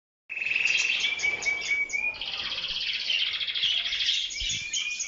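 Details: Canaries singing strongly: a continuous run of rapid, rolling trills and buzzy warbles held high, with brief clear whistled notes between rattling phrases, sung without pause for about five seconds.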